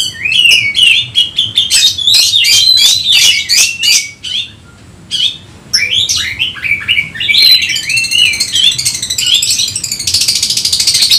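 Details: Oriental magpie-robin singing agitatedly while seeking a rival. A fast, varied run of sharp whistles and buzzy notes repeats in quick bursts, pauses near four seconds, then carries on with rising, warbled phrases and a dense scratchy passage at the end.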